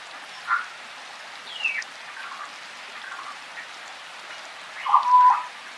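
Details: African grey parrot calling in the wild forest during rain, other birds chirping nearby: scattered short whistles, one sliding downward, then a longer harsh call near the end, over soft, even rainfall.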